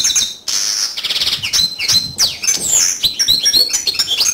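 A yellow canary sings a fast, high, continuous song of sweet trills, buzzy rolls and quick whistled notes, changing phrase every second or so.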